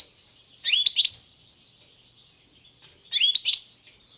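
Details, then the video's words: Balkan goldfinch, subspecies balcanica, gives two short bursts of bright twittering song, each about half a second of quick, high tinkling notes ending in a downslurred whistle, separated by a quiet gap. "Pesma štiglića, češljugara , grdelina, lokera carduelis balcanica"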